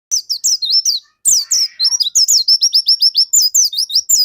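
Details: Dakun white-eye in full, prolific song, used as a lure to spur other white-eyes into singing: a rapid string of high, thin, down-slurred whistled chirps, about five to six per second, with a short pause near the start.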